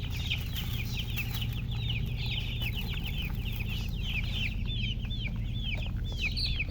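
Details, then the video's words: Baby chicken chicks chirping together: dense, overlapping high peeps, each a short downward-sliding note, pouring out several per second without pause over a steady low hum. "Witty MURGI Baby "Chicks Chirping" Sound"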